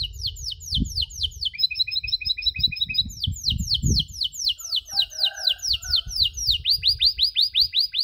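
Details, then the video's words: Canary training audio for young canaries learning cuit-cuit chirps: long continuous series of sharp downslurred notes with brief trilled passages, over intermittent low thumping background noise. "MASTERAN KENARI SANGAT COCOK UNTUK PAUD YANG LAGI BELAJAR BUNYI CUIT CUIT"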